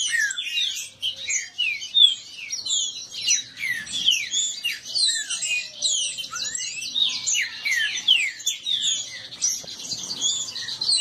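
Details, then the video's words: Several caged green-winged saltators disputing and singing together, a dense overlapping chorus of loud slurred whistles, many falling and some rising, packed continuously with no pauses. "Esquente seu trinca ferro disputa e baderna"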